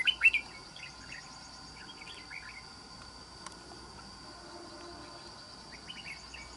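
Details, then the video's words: Red-whiskered bulbul, a caged trap bird of island-forest voice, gives brisk chattering warbles at the start and again near the end, separated by a quiet stretch filled with a constant high-pitched insect drone. "Bẫy Chào Mào. Mau Mỏ . Bung Xoè.Gốc Mào Cao Dày . Giọng Rừng Đảo Tốt"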